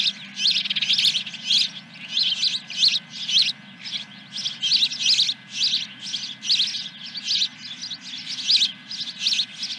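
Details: Osprey at its Dunrovin Ranch nest, 10 July 2021, around 9:20 a.m.: rhythmic pulses of bright high chirping, grouped bursts about every half second, steady for the whole stretch, with a low background hum.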